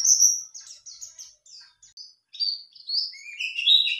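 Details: White-eye lure song meant to make a male answer: quick high twittering and chirps with sharp downslurred notes, a short pause near the middle, then rising, sweeping whistled phrases.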